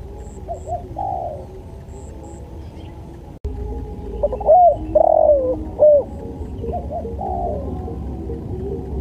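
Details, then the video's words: Spotted dove song for training birds: low mellow coos, a brief break, then a louder phrase of short upward notes and a long gliding coo, with quieter coos after. "MASTERAN SUARA TEKUKUR"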